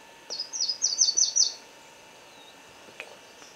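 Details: Booted racket-tail of the subspecies discifer giving a fast series of five high, thin, descending buzzy notes over about one second, then quiet with faint background sounds.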